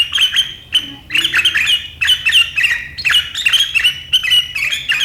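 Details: Sharp riwikan chatter of a sooty-headed bulbul, recorded 7 April 2023, meant to set rival birds singing: dense clusters of harsh, high chirps in quick bursts with brief gaps between them, over a soft low background hum.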